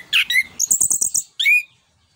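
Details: Orange-headed thrush, a forest songbird of Southeast Asia, singing a loud 'ngeplong nembak' song used to train other birds: harsh buzzy notes, a quick burst of high chips, then a rising whistled note.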